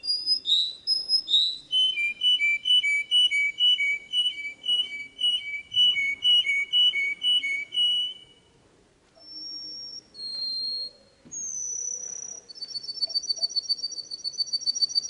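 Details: Canary song intended for training young birds without faults: a quick descending flourish, then steady rows of repeated whistled notes, a pause, high pure tones, and finally a rapid, very high trill.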